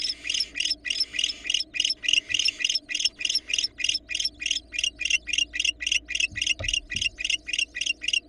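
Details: Barn owls at a Florida nest camera while a female delivers a rat to a nestling and then interacts with the male. Short, harsh, hissy bursts repeat quickly and steadily, about four each second, throughout the clip.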